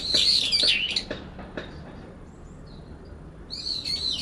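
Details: In late September, two brown-eared bulbuls in a cherry tree call against each other in a territorial dispute. One jams the other's song. A loud, harsh, quavering screech is followed by faint ticks and a quiet gap, then another shrill call rises.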